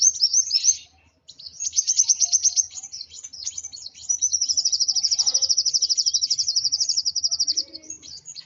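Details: Sunbird in an emotional state: bursts of high squeaky chirps, then a long, fast, regular high trill lasting several seconds, then softer notes.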